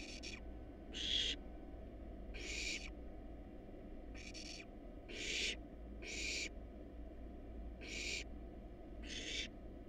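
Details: Wild barn owl nestlings in a monitored nest box, hungry while being fed a rat and a rabbit: eight harsh, rasping hiss bursts in ten seconds, each about half a second long, over a steady low hum.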